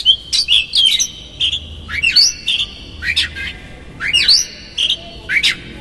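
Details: Oriental magpie-robin song used as a lure to provoke a rival; loud whistled phrases with sharp rising and falling sweeps, notes spaced irregularly about every second or two, over low background hum.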